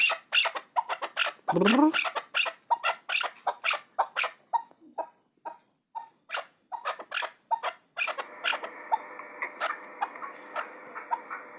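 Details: Muminobod chukar partridge, a hunting bird, uttering staccato clucking notes in bursts, with a short harsh low squawk early on and steady background hiss in the final seconds.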